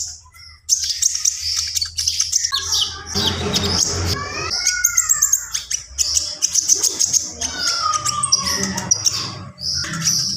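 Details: Javan pied starling delivering 'gacor full isian' song: shrill, rapid chatter interrupted by a harsh noisy burst, then several clear whistles that rise and then fall, with more high squeaks toward the end.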